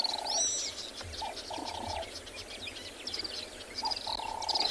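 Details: Little swifts, seen sweeping down to drink during a January sunrise game drive at Tswalu Kalahari Reserve, South Africa, give high, thin, drilling trills in quick bursts, faint; lower steady whistled notes in the background.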